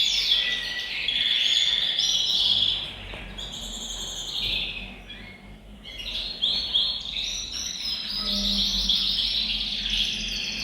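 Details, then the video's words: Canary group singing in a bird room to stimulate males and prepare females for mating; high rolling trills and whistles rise and fade in waves, with a soft low hum beneath. "أقوى تحفيز لتغريد وتجهيز الكناري، تغريد جماعي في غرفة الطيور سيجعل طيورك تغرد مباشرة"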